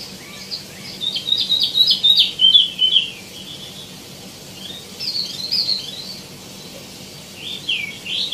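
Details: Tieumi, or wambi mini, in full song: bursts of quick, high twittering whistles with sliding notes, separated by short quiet gaps.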